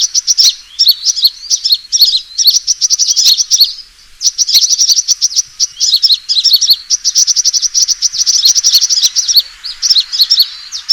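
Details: Sunbird fighting call for luring birds, long runs of very fast, high metallic chips interleaved with sharp twittering phrases and one brief pause.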